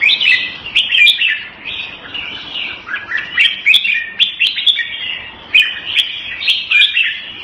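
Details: Song of a red-whiskered bulbul kept as a hobby bird: repeated cheerful phrases of sharp chirps and rolling warbles roughly every second, some notes swooping downward. Faint sharp clicks sound between phrases.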